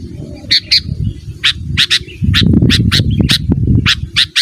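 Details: Sooty-headed bulbul calling a rival: harsh, sharp chip notes, some doubled, repeated roughly every half second over a loud low rumbling background.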